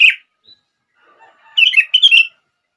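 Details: Sooty-headed bulbul giving one short chirp, then after a pause a single burst of warbling, liquid notes.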